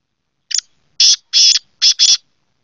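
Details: Kala teetar, the black francolin, gives a full call phrase. A short thin opening note leads into two longer rasping notes, then a rapid grating double note. The five notes fall within about two seconds, against a silent background.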